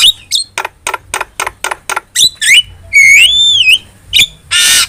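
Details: Starling in vigorous song, used to tutor and provoke caged starlings: a rapid series of about eight sharp clicking notes, then twisting whistles and a long wavering whistle, closing with a harsh burst.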